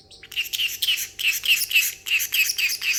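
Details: Caged pet parrotlet in high spirits after treats and almonds, imitating water sounds amid excited talking and laughing; a quick series of about nine harsh, buzzy chirps, roughly three per second, with faint background hum.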